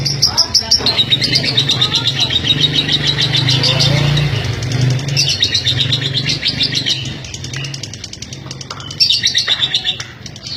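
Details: Female lovebird from East Lampung, Indonesia, kept for extended singing: a long run of shrill, rapid chattering trills with varying intensity, pausing briefly and restarting near the end, over a persistent low engine-like hum.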